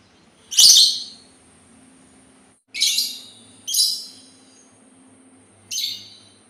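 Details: Sultan tit producing four loud, grating chirps, the first strongest, the rest spaced irregularly over about five seconds.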